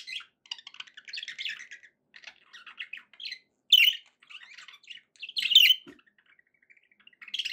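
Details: Happy pet budgies give scattered soft twittering chirps broken by silences, with a few sharper, louder squeaky calls standing out.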